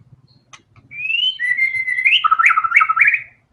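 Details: Energetic white-rumped shama song meant to prompt other songbirds into singing: a long clear whistle slightly rising, then a flat held note breaking into quick jumping notes and rapid, slurred flourishes, with faint low background hum.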